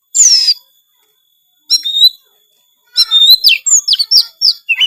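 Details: Kacer (Oriental magpie-robin) singing full-isian gacor song: a buzzy descending burst, a pair of bright whistles, then a quick sequence of slurred, swooping notes and chips.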